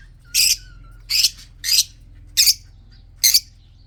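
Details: Five loud rasping screeches spaced under a second apart, from red-eyed budgerigars kept in a breeding colony, with a faint thin whistle behind the first.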